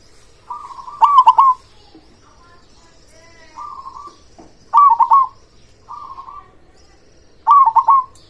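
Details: Local zebra dove song in repeated phrases: soft purring trills alternating with louder stuttered triple-note bursts, roughly every two seconds.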